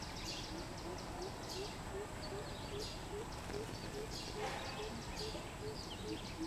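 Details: A greater coucal, recorded 13 June 2020, gives a long run of deep, hollow hoop notes, about three each second at an even pitch, over steady hiss and faint higher chirps.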